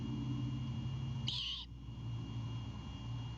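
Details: Great Horned Owl owlet at a Savannah, Georgia nest cam, defending a bird its father delivered at night on 26 March 2022; a single loud, harsh hissing screech against a low constant hum.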